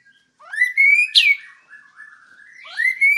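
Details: White-rumped shama singing long drawn whistles, one sharp high downslurred note in the middle, then a rising whistle; clear and loud, a master recording to train other birds.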